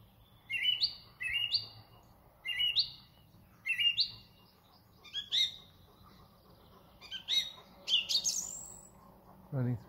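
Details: Song thrush at Thoralby, 2 June 2020: one whistled phrase with a rising upswing repeated four times about a second apart, then shorter varied notes and a high sweeping trill; a brief low human voice at the very end.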